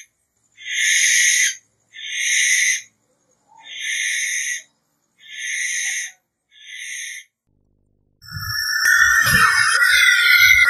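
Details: Five short rasping hisses from a barn owl, evenly spaced about a second apart, followed by a louder noisy harsh scream mixed with low thumping sounds.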